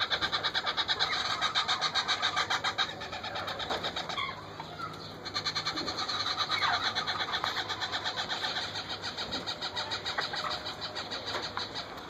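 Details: Wild parrot chicks being fed by their mother beg in a fast, steady stream of raspy, pulsing chirrs, about two pulses a second, with a faint background hum.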